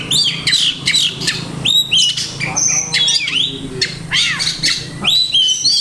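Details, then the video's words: Kacer, the Oriental magpie-robin, delivering many masteran, mimicked phrases of other birds. Sharp whistled notes and harsh chips alternate rapidly, with rising and falling slurs, over a faint low hum. "Banyak Masteran iNi Kacer"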